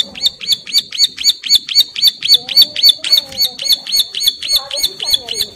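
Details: A breeding-condition female bar-winged prinia calls its partner with a long, regular train of around twenty sharp, high chirps, each a quick falling flick. Faint lower twittering runs behind it.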